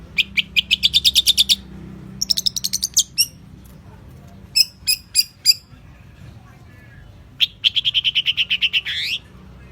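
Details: Champion long-tailed shrike in a tutor recording: short spaced bursts of rapid, harsh chattering notes, a few isolated clipped calls, and a final rising rattled phrase.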